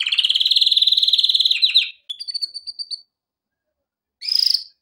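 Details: Male canary singing as a training recording: a fast rattling trill near 3–4k for about two seconds, then thin high whistled notes, a pause, and a short bright burst at the end.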